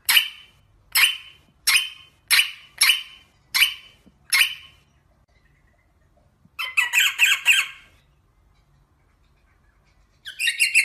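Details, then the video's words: Rosella calling in a series of seven evenly spaced harsh notes, about one every 0.6 seconds, followed by a rapid rattling burst of grating notes and a final short chatter. "SONG ROSELLA تغريد طائر الروزيلا الجميل"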